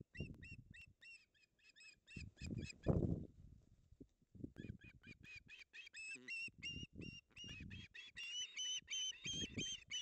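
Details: Osprey pair, male and female, on a nest in the Napiwodzko-Ramucka Forest, 16 August 2021, tugging over a fish. Rapid series of sharp whistled chirps with a few low thumps and rustles between bursts.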